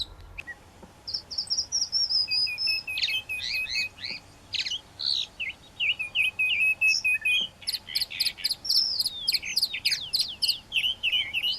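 A Chalk-browed Mockingbird sings a fast, varied run of high whistles, chirps and warbled phrases, borrowing notes from other birds such as a swallow.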